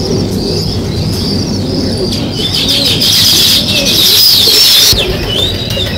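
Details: Natural sparrow chirping: quick, bright high chirps in busy overlapping bursts, swelling into a dense chorus near the end, with a constant high whine and low rumble behind.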